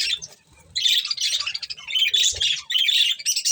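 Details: Breeding pair of budgies chattering in harsh, buzzy warbles, a short quiet gap then nearly continuous squawky chirps in clustered bursts.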